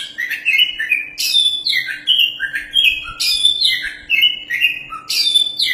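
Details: Champion Oriental magpie-robin in a cage, used as a model singer for training, giving an energetic run of sweet whistles, buzzy trills and downward slurs, phrases tumbling one after another almost without pause over a light hum.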